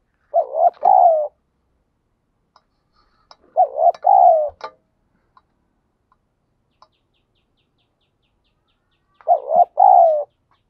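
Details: Spotted dove in the wild cooing in the 'thúc gù' style: three two-part coo phrases, each a quick wavering note then a longer mellow coo, about three seconds apart with a long gap before the last, plus faint clicks.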